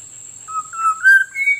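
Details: Black-naped oriole lure sound: one smooth, fluted whistle, held level and then stepping upward near its end, lasting just over a second, beneath a constant high-pitched hiss.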